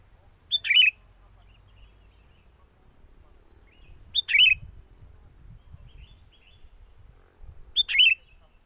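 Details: Sooty-headed bulbul song used as a trapping lure, recorded in strong wind; three short bubbly, warbling phrases spaced about three and a half seconds apart, with faint low wind rumble between them.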